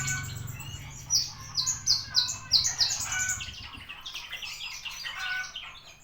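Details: Recorded 24 September at ten, a Javan bushlark sings a quick run of five or six sharp descending high notes, then shifts into softer scratchy twittering phrases; low rumble early on.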